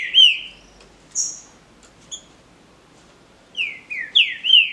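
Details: Green-winged saltator singing in a contest, a captive-bred bird. A loud whistle opens, then a few brief high notes. After a pause comes a clear run of four falling, slurred whistles.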